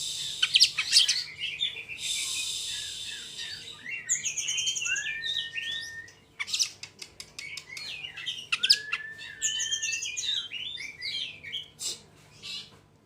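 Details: Fast rolling song of an Oriental magpie-robin, used to lure other magpie-robins into song: a long varied medley of high chirps, slurred whistles, buzzy notes and sharp clicks, with a short pause midway and steady faint background hiss.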